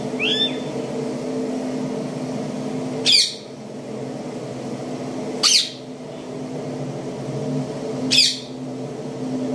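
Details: Plum-headed parakeet giving three loud, harsh squawks spaced about two and a half seconds apart, with a faint thin chirp at the start and a low hum throughout.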